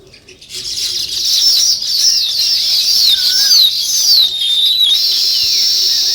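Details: Natural chirping of sparrows, also called weaver birds: after a quiet start, a continuous busy chorus of high, warbling, overlapping twitters with sliding notes that stays loud to the end.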